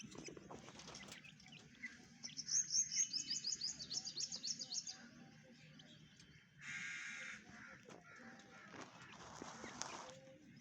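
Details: White partridge chicks give a quick run of thin, very high peeps, about a dozen in two seconds, followed by a harsh rushing burst and scattered clicks.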